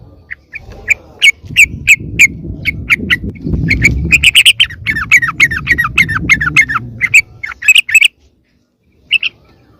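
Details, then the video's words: Chattering calls of a yellow-vented bulbul, given as a lure to bring other bulbuls near: sharp, separate chips that speed into a dense scratchy run, with steady low rumbling noise beneath. "SUARA PIKAT BURUNG TRUCUKAN YANG LAIN AUTO MENDEKAT"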